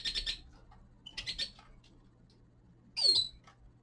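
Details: A young male common linnet in winter gives quick rattling chirps, then a short pause and a loud sweeping note that slides sharply downward, with faint low hum behind.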